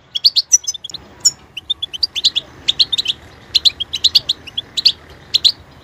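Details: Caged European goldfinch opening with loud quick chirps, then a flowing run of high twittered notes and small trills, with soft background hiss.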